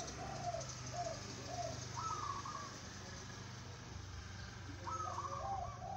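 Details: Zebra dove, a local bird suited to song contests, giving soft rolling coos in short groups, some notes pitched higher, while a constant engine-like drone runs underneath.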